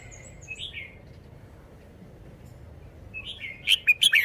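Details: A caged red-whiskered bulbul displays its song: a faint high whistle and a slurred phrase, then after a gap a loud rapid series of bright bubbling notes.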